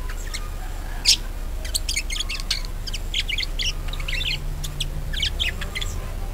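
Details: Budgerigar warbling, played to lure other birds into song: dense, busy runs of short chirps and clicks with a sharp squeak early on, continuing almost without pause.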